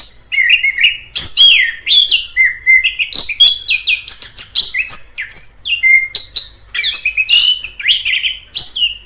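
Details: Long continuous song of an orange-headed thrush in the wild, mixing sweet whistled slurs, rising notes and dry scratchy bits in quick succession, with barely any gaps.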